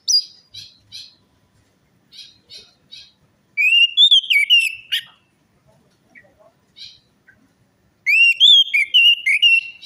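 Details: Orange-headed thrush song used as a lure to make a silent or stressed bird sing: two loud bursts of rapid, varied whistled phrases sliding up and down, with softer short chirpy notes in the pauses between.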